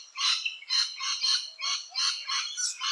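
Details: Nesting rainbow lorikeet giving harsh, grating screeches in a rapid run, about two bursts a second, broad and rasping with no clean tone.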